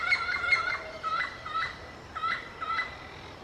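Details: Loud, close yellow-fronted parrot talking to its peers: a rapid cluster of squawks, then clipped, paired nasal calls in uneven bursts.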